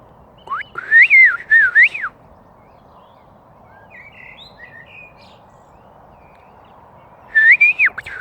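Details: Bird singing in front of a house, appearing to answer a person: loud clear whistled phrases swooping up and down, a pause with soft chatter, then another whistled phrase, over low steady background noise.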